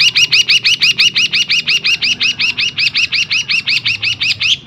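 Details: Long-tailed shrike (cendet) song with mimicked fills of kingfisher and sparrow, used as a tutor recording for other birds: a fast, even string of bright chipping notes, about six per second, without pause.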